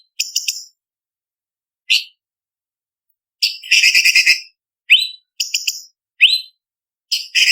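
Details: Blue-winged leafbird (cucak cungkok) master recording for training contest birds, with sharp, spicy filler phrases: high buzzy trills alternating with quick rising whistled sweeps, separated by short silences.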